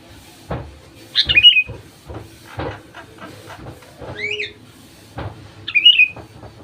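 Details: Sooty-headed bulbul lure song for prompting other bulbuls to sing: short, warbled, falling phrases at the start and end, a fainter chirp in the middle, and frequent knocking sounds throughout.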